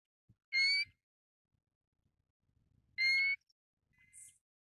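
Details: Pacific golden plover giving two strong rising whistles about two and a half seconds apart, followed by a fainter short whistle and a soft higher note, in a quiet setting in Taiwan.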